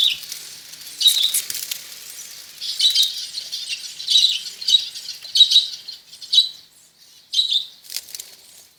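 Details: Caged budgerigars in a breeding colony give bright, rapid chirps and chattering squeaks in short bursts, swelling and fading roughly every half second to second.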